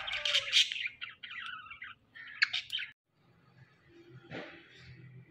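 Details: Pet Indian ringneck parakeet, a talking bird, making two bursts of grating, buzzy squawks, then a quieter stretch with a sharp downward note and a faint low hum.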